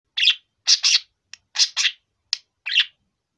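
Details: Four-year-old male budgerigar calling indoors: scratchy chirps, some in quick pairs and some single, with short silent gaps between them.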